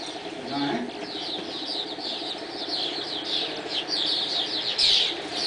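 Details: Dawn chorus of swallows: a continuous, slightly distant twitter of high chirps from many birds, building toward a louder burst near the end, with a low background hum.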